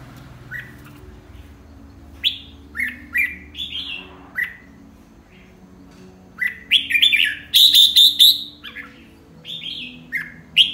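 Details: Red-whiskered bulbul singing in the morning in a fired-up "căng lửa" state: short clear whistled phrases, some rising and some falling, delivered in irregular bursts, with a denser, brighter run near the end over a low steady hum.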